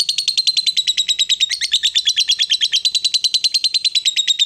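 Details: Long ngekek from a female fighter lovebird used to goad rival lovebirds: an unbroken, rapid stream of harsh, high chattering notes running evenly throughout, with faint low room noise beneath.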